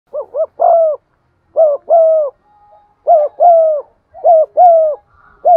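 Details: Spotted dove cooing and giving rapid lure calls used to attract other birds: loud low hooting coos in tight pairs and short runs, each slightly falling, repeated roughly every second, with a faint steady tone between bursts.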